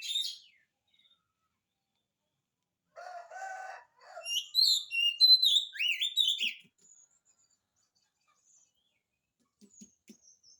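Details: Oriental magpie-robin singing vigorously, used as a lure to draw a reply from birds reluctant to sing: a brief high note, then a burst of harsh banded notes and a run of rapid, varied high whistles and slurs, with faint ticks near the end.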